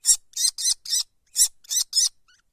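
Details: Downy kestrel chicks calling from their nest: a run of seven harsh, scratchy, hissing notes delivered in uneven pairs and singles, ending with a faint softer sound.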